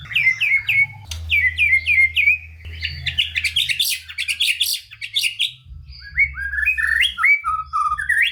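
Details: White-rumped shama in full, energetic song packed with varied phrases, used to spur lazy shamas into singing: runs of descending whistled notes, a dense burst of chattering phrases, then lower slurred whistles.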